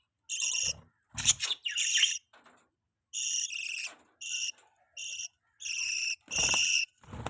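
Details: Budgies feeding a chick: clear, tonal chirps come in short repeated bursts about half a second long, separated by pauses. A couple of broad, noisy sounds are mixed in.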